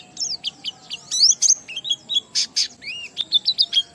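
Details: Oriental white-eye in ngalas song with riwikan fills, aimed at making other white-eyes sing: a varied mix of high whistled slurs, sharp chips and a few harsher buzzy notes in quick succession.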